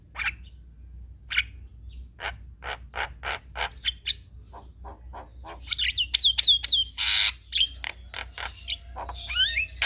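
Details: Male Javan myna singing, played as a lure to draw responses from other mynas; a varied run of harsh clicks and rasping notes, then a burst of bright whistled, down-slurred phrases and squawks.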